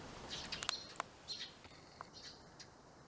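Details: Sparrow pair that has moved into a nest box built by a child, after their former nesting spot was blocked: short sharp chirps and clicks in a quick irregular cluster, with a faint steady high hiss behind.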